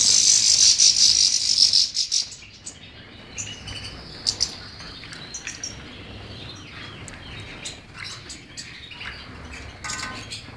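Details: Goldfinch singing, opening with a loud dense buzzy trill for two seconds, then scattered quieter twitters and chips for the rest.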